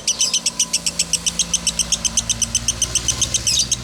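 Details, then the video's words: Continuous high-pitched lovebird chirping in the 'konslet' style, used as master audio: squeaky notes repeated quickly and steadily, with a faint engine-like hum underneath. "Masteran Love bird konslet"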